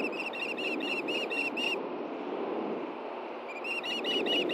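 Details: At a Montana nest in Hellgate Canyon, June 6, 2014, 9 AM, an osprey male brings a fish to his mate. A quick string of sharp, piercing whistled chirps, a pause, then more chirps, over constant wind-like hiss.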